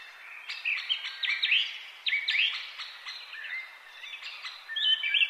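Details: Pet Indian ringneck parakeet, green, at play indoors: bursts of squeaky chirps and bent whistled notes, clustered in short fast groups with brief pauses between, ending on a louder warbling phrase.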